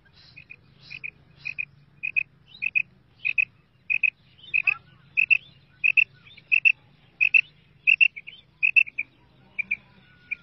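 A female quail gives short, high, clipped double notes, repeated about every half second in a long steady series, over a faint low hum.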